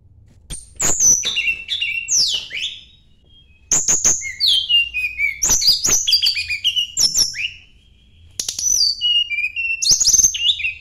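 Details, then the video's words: Sunda blue robin seeking a rival sings several bursts of high, varied whistles and rapid clicking notes, with quick downward slides and chattering trills, separated by short pauses. "kicau tledekan gunung mencari lawan"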